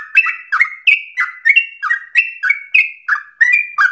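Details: Singing sooty-headed bulbul, used as a provoking and tutoring recording, delivers a steady run of short, clear whistles that drop in pitch, about three per second, with some notes higher and some lower.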